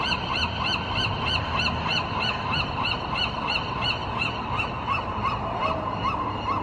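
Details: Gulls in morning fog, January 2020: a dense chorus of rapid, repeated nasal calls, roughly three per second, over steady low rumbling background noise.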